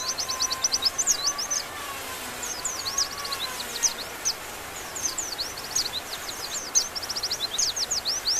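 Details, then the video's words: High, sharp velvet-fronted nuthatch notes in quick uneven runs and hooked chirps, with gaps between bursts; a soft, low, drawn-out whistle from another bird and a noisy background sit underneath. "RAMBATAN PARUH MERAH GACOR"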